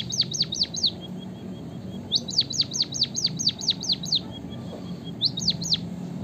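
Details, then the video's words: Emprit kaji or white-headed munia in active song: three groups of clear, high, quickly falling whistled notes, with faint level notes between groups and a low hum behind. "emprit kaji gacor - burung finch murah suara mewah - white headed munia"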